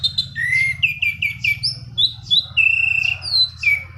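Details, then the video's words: Orange-banded thrush in lively rolling song, used for luring and tutoring birds: a rapid run of clear whistled notes, some slurred, others repeated in quick groups, with a steady low hum underneath. "Anis Cendana Kicauan Gacor Ngerol"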